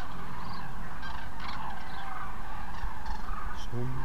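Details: On 9 November 2014, a flock of common cranes gives overlapping loud, rolling trumpeting calls over a steady low rumble of wind.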